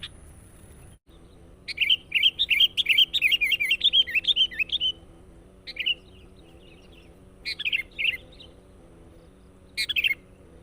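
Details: Sooty-headed bulbul singing persistently to lure wild birds, starting with a three-second run of rapid bubbling notes, followed by short separate slurred phrases with pauses.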